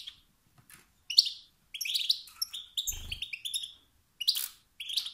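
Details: Male European goldfinch uttering challenge-style calls that spur rival males to sing; rapid run of liquid, buzzy twitters and rising chirps, briefly interrupted by a low thump.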